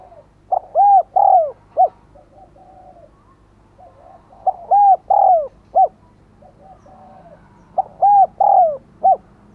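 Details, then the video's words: Spotted dove used as a decoy, cooing to lure wild birds: three phrases about every three and a half seconds, each a short note, two drawn-out coos with the last sliding down, then a clipped end note; softer coos between. "Chim Cu Mồi Thúc Gáy Gọi Mới Nhất / Kích Bổi Siêng Gáy , Có Cả Thúc"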